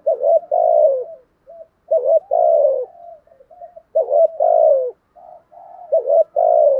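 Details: Spotted dove in a formal cooing sequence for stimulating a newly caught captive dove. Four phrases come about every two seconds, each a brief double note then a sustained downward coo, with quiet murmured notes in the gaps.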